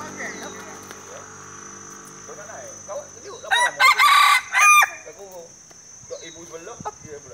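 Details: Crowing rooster at a Dungun contest judging which cock crows most, a single strident multi-part crow rising from background chatter and clucking, then fading back to voices.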